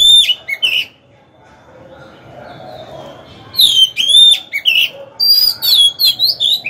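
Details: Oriental magpie-robin used as a decoy, singing to incite rival males to fight. A short whistled phrase and a near-silent gap, then a sustained run of loud, sweet, slurred whistles with quick varied notes.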